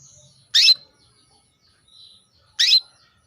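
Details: Female canary's call to a male, used to excite him into breeding condition and song: a pair of crisp, high chirps about two seconds apart, with faint thin whistles and quiet background between them.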